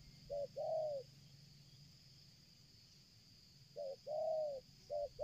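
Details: A spotted dove, drawn in from afar during trapping, keeps calling: a quick double note and a longer rounded coo, then a pause of nearly three seconds before the pattern repeats, over low rumble and high hiss.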